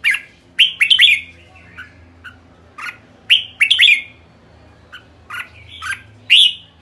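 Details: Red-whiskered bulbul kekek calls: clipped, chattering notes in bursts of three or four about every two to three seconds, sharp and bright, with soft hum underneath.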